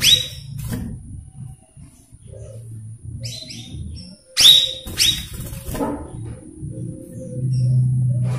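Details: A cucak rawis gives loud, clear downward-sliding whistles in short bursts, used as a lure for young birds, with a low rumbling hum throughout.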